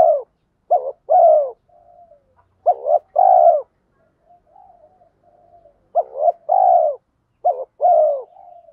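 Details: Spotted dove lure voice, 'thổ pha' with rapid 'thúc gù', intended to get wild birds cooing back: repeated pairs of gruff short notes and longer falling coos, separated by soft low murmured trills.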